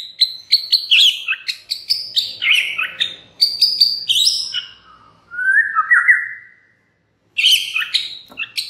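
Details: White-rumped shama singing as a lure for other shamas: fast run of sharp clicking notes mixed with varied whistles, then a drawn-out rising whistle, silence, and more rapid sharp notes.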